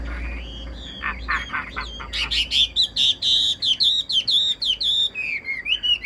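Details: Chinese hwamei kept in a cage, in full song: soft, scattered notes at first, then a bright run of rapid, evenly repeated ringing whistles, several per second, each with a small upward flick.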